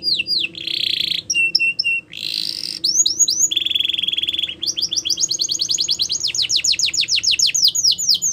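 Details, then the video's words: Canary in full song: short whistles and harsh buzzy bursts give way to a steady buzzing roll, then a long accelerating series of bright down-slurred chips repeated many times a second. "The Best Canary Singing"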